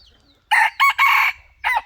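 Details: Decoy rooster crowing, 2023-2024: a brief lead-in note, then loud harsh crow segments broken by short gaps and a final rising-falling phrase. Bright and strong, with a quiet low hum beneath.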